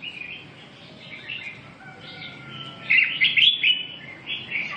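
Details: Soft chirps from a red-whiskered bulbul build to a loud, rich warbled phrase past the midpoint, then trail off into lighter twittering notes.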